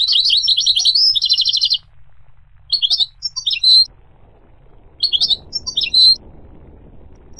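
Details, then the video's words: Goldfinch singing, its song described as ranging between low and high pitches: two rapid, high twittering phrases with a trilled stretch, then short chirpy bursts near the third and fifth seconds, with a faint low rumble underneath. "The Resonant Chirping of the Goldfinch Bird"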